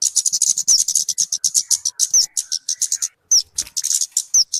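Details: Call of the talokan, or kemade, used as bait or a master song for birds: quick high chattering notes in groups, broken by several clear downslurred whistles and one short pause.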